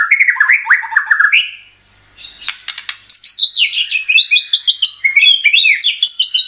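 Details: White-rumped shama lure song meant to provoke caged birds into singing: rich varied whistles with a fast jumble of high chirps, a short pause midway, then rapid twittering phrases.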